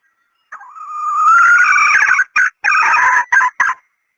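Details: Decoy call of a female red junglefowl from Thailand: a long, rising, rasping cry that swells in volume, followed by a run of four shorter harsh notes in quick, uneven succession.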